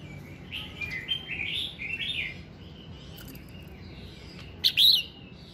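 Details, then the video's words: Red-whiskered bulbul song at morning, used to get birds singing: a flowing sequence of slurred whistled notes rising and falling, a pause, then one loud sharp warbled note near the end. "Tiếng Kích Giọng Chào Mào Hót Sáng"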